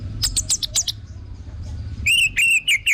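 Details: Orange-headed thrush phrases for luring birds into song: quick high chirps repeated about every quarter second, a brief lull, then loud rich wavering whistles with clear overtones.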